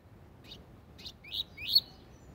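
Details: Softer tui tui zel zel phrase from a double-collared seedeater, a song style for teaching young birds: a few spaced high chips, then two louder upslurred whistles.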